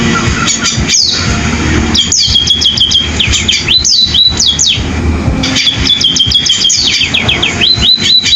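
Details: A sparrow sings like a canary, pouring out long chattering phrases of high slurred whistles and rapid trills with few gaps, against a constant low hum and rumble.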